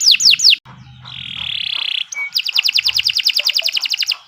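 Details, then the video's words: Canary song for training other birds: three loud descending whistles, a sustained buzzy tone, a short pure whistle, then a quick regular run of sharp repeated notes fading out. "Kicau Burung Kenari 103 II GACOR PANJANG Cocok untuk Masteran"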